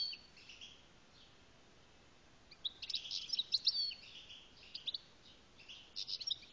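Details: Algerian European goldfinch singing: after a quiet start, a burst of high, tinkling, rapid twittered notes with buzzy trills around the middle, then a shorter twittering phrase near the end; no other sounds.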